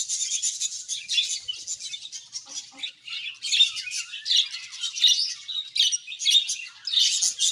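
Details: A colony of budgerigars chattering together, described as happy: dense, overlapping high-pitched chirps, warbles and scratchy squawks pour out continuously in busy bursts, with no pauses and no other sounds.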